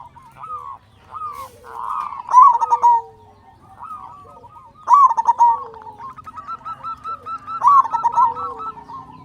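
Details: Loud local zebra dove song meant to rouse other doves into singing: arched cooing notes build into three rapid rolling bursts about every two and a half seconds, with softer overlapping coos between.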